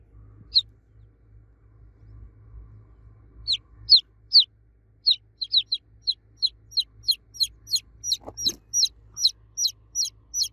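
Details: Baby chicks calling for the mother hen: a few scattered high peeps, then a rapid, accelerating run of sharp descending cheeps, with a brief thump partway through.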